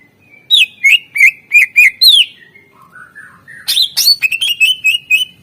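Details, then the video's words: Master recording of a greater green leafbird singing to coax silent birds into song: rapid series of sharp, clear whistled notes, a lower warbling phrase in the middle, then a fast rattling burst of repeated chips. "Cucak ijo gacor SUARA ISIAN masteran untuk pancingan burung yang malas bunyi"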